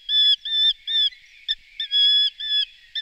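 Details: Eurasian hobby uttering drawn-out, level, nasal notes in two groups of three with a brief pause between, a faint lower wavering sound beneath.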